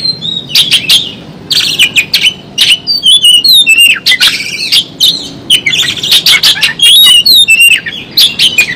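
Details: Oriental magpie-robin singing hard with tail spread in a fighting display: loud jumbled phrases of sharp whistles, slurred rising and falling notes and scratchy chatters, broken by brief pauses.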